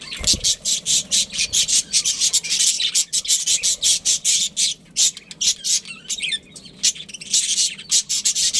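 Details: Pet budgerigars from a breeding pair keeping up loud, grating squawks in rhythmic bursts several times a second, with a brief twittering warble near the middle.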